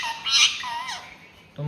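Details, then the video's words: Pet ringneck parrot kept indoors producing a brief loud harsh squawk followed by a wavering tonal phrase, with a low voice starting at the end. "Talking Parrot"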